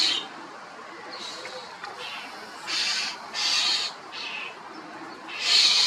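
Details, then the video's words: European starling calls, loud: a series of rasping, hissy bursts, some short and some drawn out, with a louder grating squawk at the end; steady soft background noise between the calls. "Common Starling calls are loud, (Sturnus vulgaris), European Starling sound Effect"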